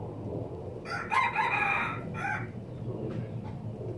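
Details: Red junglefowl from Laos giving a single crow: a hoarse, harmonic, rising-then-falling phrase lasting about one and a half seconds, with a short trailing note after it over low background rumble.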